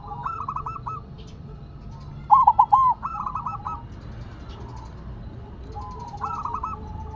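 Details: Zebra dove of the silver variety, placed on the ground, singing on: one loud burst of quick rolling coos near the middle, with fainter trilled cooing phrases before and after it.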